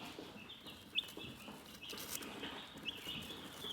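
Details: Calm chickens chirp steadily with overlapping high peeps and a few sharper, louder chirps that stand out, over soft scratchy rustling.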